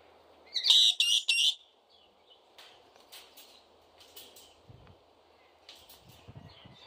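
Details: A black lory in a bird park in the Danish countryside, North Zealand, gives three loud, harsh squawks in quick succession, then scattered softer chatter over a steady background hum.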